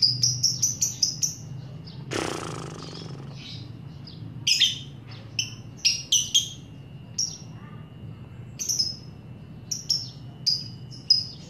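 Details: Lovebird on a master recording meant to lure other lovebirds into singing ngekek; quick bursts of high chirps, then a brief rushing noise, followed by scattered sharp chirps and squeaks over faint low hum.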